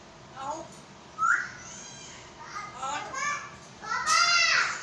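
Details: Pet African grey parrot in Pakistan speaking Urdu words: clear, tonal, speech-like syllables with strong harmonic bands. A short phrase is followed by rising and falling utterances, and it ends on a loud drawn-out word.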